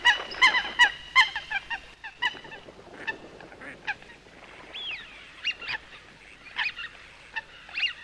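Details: Coot giving a rapid series of short, nasal, honking notes, loudest at the start and then fading into softer, scattered calls, with higher whistled notes from other birds later on.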